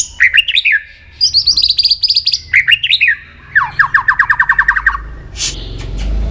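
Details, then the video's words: White-rumped shama in voice training for singing contests, delivering bursts of rapid buzzy chattering notes and a long run of about ten quick repeated rising notes, ending with a dull thump and rustling. "luyện giọng chòe lửa hót kích chòe lửa nhanh căng lửa"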